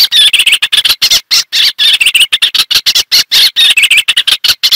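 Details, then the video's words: Eastern olivaceous warbler delivering a busy, continuous warble of harsh, chattering notes at a fast, jerky pace, several notes per second, loud and close. "Eastern olivaceous warbler song and calls"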